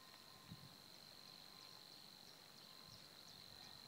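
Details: Savi's warbler (Locustella luscinioides) song at Týnecké mokřiny reserve on 16 April 2016: a steady, fast, insect-like reeling buzz on one even pitch, unbroken throughout, with a few faint low thumps in the background.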